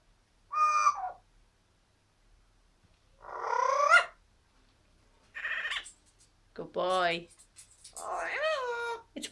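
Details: Pet Amazon parrot indoors making crazy noises: a string of wavering, nasal squawks and warbled notes, some sliding up then down, about five separate bursts with pauses between.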